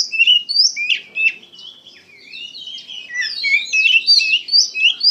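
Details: Loud gacor singing from an Oriental magpie-robin: dense bursts of piercing whistles and downward slurs, a softer stretch in the middle, then a rich rush of overlapping notes.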